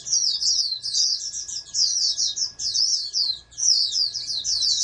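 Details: Oriental white-eye, a captive-bred bird being raised as a future national contest champion, singing rapid high twittering phrases in short bursts separated by brief pauses, with a faint steady hum beneath.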